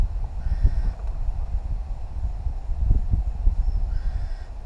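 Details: New Caledonian crows, a wild family group of three, working with tools at a log for food; two faint nasal harmonic calls near the start and end, with heavy low-frequency rumble and tapping throughout.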